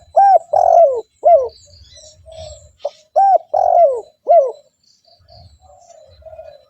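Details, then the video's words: Wild doves are lured with this spotted dove call: two phrases of three hooked, rounded coos, each closing in a gentle fading purr, with distant thin chirps from other birds. "TEKUKUR GACOR 💯 Ampuh untuk pancingan burung tekukur bahan"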